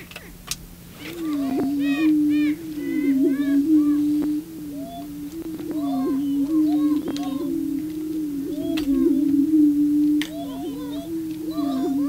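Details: Male prairie chickens booming to attract a female on their display grounds: a low droning hum runs throughout, overlaid by many rapid cackling and whooping calls, with occasional camera shutter clicks.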